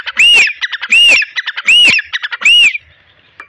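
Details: Grey francolin in Rahim Yar Khan, Punjab, Pakistan, squaring off against a pigeon, giving loud, harsh, arched squawks about every three-quarters of a second with short clipped notes between them.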